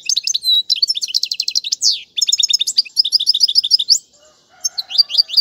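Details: Song of a European goldfinch used to teach young birds: rapid, high twittering with buzzy rattles and rising slurs, a short pause, then more bright chirps.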